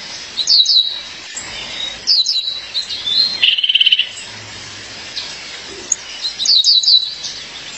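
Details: Female Violaceous euphonia summoning her mate: clusters of rapid, sharp, high falling notes recur every one and a half to four seconds, with a short buzzy rattle near the middle and faint thin calls in between.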